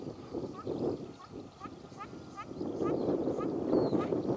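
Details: On Lanzarote, Spain, on 29 December 2021, a big wild group of ruddy shelducks, many taking off as approached, give short, nasal, upward-inflected honks about every half second over a steady rumble of wind or distant traffic.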